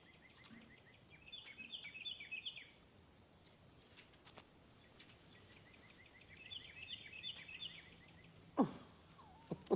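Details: A wild Carolina wren singing outdoors: two rolling bursts of rapid, repeated ringing phrases about five seconds apart, over a soft outdoor hiss and a couple of bumps near the end.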